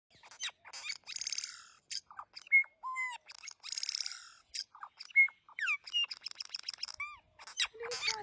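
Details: A bird calling with a rapid mix of sharp high chirps, short whistled upslurs and downslurs, and harsh buzzy squawks, delivered in irregular bursts separated by brief pauses.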